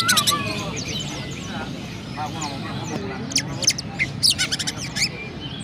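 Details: Kept Oriental magpie-robin from Pemalang, Indonesia, in sparrow-imitating song: an opening burst of chips, a quieter stretch of soft warbled notes, then renewed rapid chirping toward the end.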